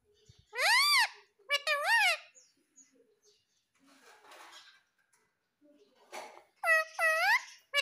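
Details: Pet ringneck parrot calling in pairs of loud arched screeches, two near the start and two more toward the end, with quieter rustling noise in between.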